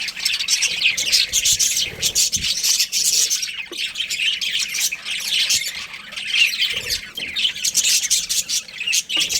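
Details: Budgie breeding pair chirping nonstop: bright, scratchy, high warbles and short harsh calls running together throughout, loudness rising and falling gently.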